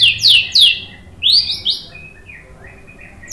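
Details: Song of a white-rumped shama meant to provoke fighting males, made of high, thin downslurred whistles given in quick pairs, then two more high strokes after a short pause.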